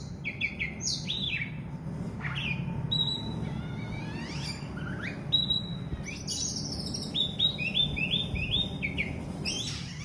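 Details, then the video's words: Oriental magpie-robin, kacer, in full lively song: varied whistled phrases, sweeping up and down, some notes held, others clipped, delivered continuously over low background hum. "kacer super gacor full"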